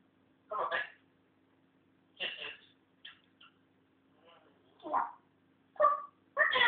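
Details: Captive African grey parrot practising talk: a run of rough, syllable-like bursts and clicks spaced irregularly, roughly one a second, over a steady low electrical hum indoors.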